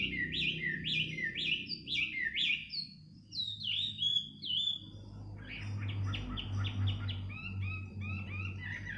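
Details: In the middle of the night a bird repeats quick sharp chirps in a fast series, then slurred downward whistles, then a dense chattering stretch, with a low hum underneath.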